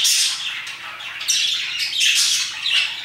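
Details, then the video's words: A short burst of parakeets chirping near 2pm, harsh overlapping squawks that dip briefly then return loudly. "Parakeets chirping and singing their hearts out"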